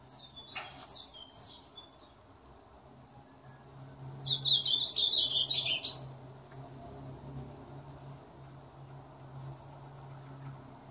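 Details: Singing ultramarine grosbeak: a short soft warble early on, a pause of a few seconds, then a strong, hurried high warbling phrase of about two seconds, with steady low hum in the background.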